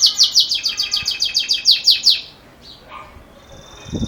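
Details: Belgian canary, bell-style campainha song said to be great for young birds: a brisk series of bright falling chirps for two seconds, then near silence with a faint thin trill and a low bump at the end.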